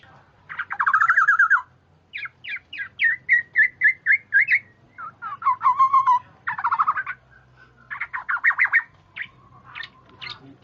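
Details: Oriole calls prepared as a bird-luring recording: groups of fast repeated nasal notes and slurred whistles, each burst lasting about a second and separated by brief pauses.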